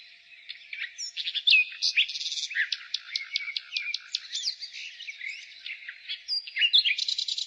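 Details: Spring nightingale song: a fast run of clipped, repeated notes, a buzzy section, and bright whistled flourishes. A background wash of birdsong continues throughout.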